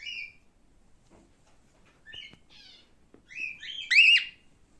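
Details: Male pet cockatiel making soft whistled notes with pauses between them, building to a louder, strained rising-and-falling whistle near the end.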